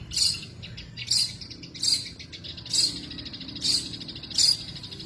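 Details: Long-tailed shrike (cendet) in full 'tembakan' song: harsh, buzzy bursts repeated roughly every second, about six in five seconds, over soft, continuous high chattering.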